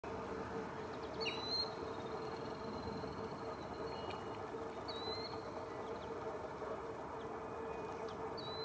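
Lesser Yellowlegs giving single high, clear whistled notes every few seconds, heard over a heavy, steady low rumble.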